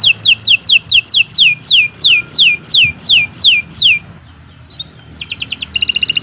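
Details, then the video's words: Canary delivering long song phrases: about a dozen loud descending whistled sweeps repeated roughly twice a second, then a quieter upslurred note and a fast rattling trill. "Kicau Burung Kenari 132 II LUAR BIASA GACOR PANJANG"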